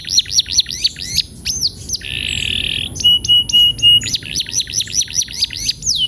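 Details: Vigorous male canary song played to train rolling: rapid looping whistled notes, a dense buzzy roll, several flat sustained tones, then more quick looped notes.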